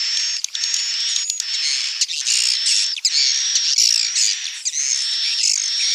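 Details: Edible-nest swiftlet calls used to tempt the birds to nest: a continuous, harsh, squeaky high twittering with shifting buzzy chirps and a faint whistled line, broken by brief dips about every second.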